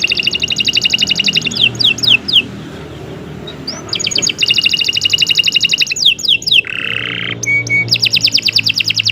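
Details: Canary singing continuously, recorded as a master for teaching songbirds: rapid rattling trills in two pitch layers, broken by brief pauses, a short downslur, a buzzy low segment and a held whistle, over soft background noise.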